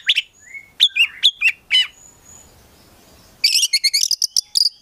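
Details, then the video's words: Oriental magpie-robin (kacer) kept as a prospect bird: looping, bouncing whistled phrases, a quiet gap, then a dense run of rapid high chirps. "KACER GACOR FULL ISIAN BIKIN KACER APAPUN LANGSUNG NYAUT"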